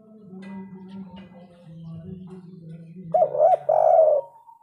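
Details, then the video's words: Spotted dove with a loud, three-note 'kuk 3' style voice. A low steady hum runs throughout, and a short, loud pair of arched cooing notes comes near the end. "derkuku kuk 3 suara besar super gacor bikin panas auto birahi burung lain"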